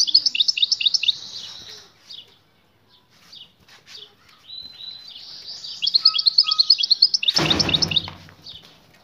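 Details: Female European goldfinch calling to attract the male and push him to mate; two bursts of rapid, high tinkling chatter separated by softer twitters, with a loud rustling thud near the end.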